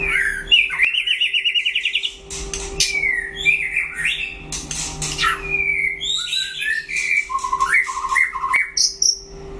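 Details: Singing duel of a white-rumped shama against a rival. It opens with a fast rattling trill, then gives rich fluting whistles and rising and falling slurs, ending in short repeated notes and a high whistle. A constant hum sits beneath.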